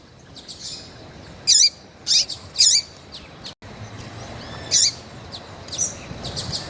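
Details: High, hooked chirps from a female double-collared seedeater calling to stimulate males, spaced irregularly with longer pauses and a brief silent break midway.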